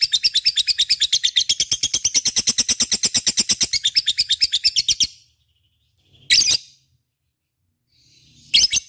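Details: Gacor lovebird song for use as a lure: a fast stream of high, scratchy chirps runs for about five seconds, then stops, followed by two brief sharp bursts separated by silence.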